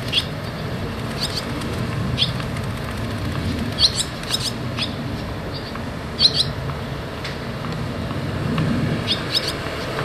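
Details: Young barn swallows going in and out of the nest give scattered thin, high chirps, single or in quick pairs, spaced irregularly across ten seconds against a constant low hum.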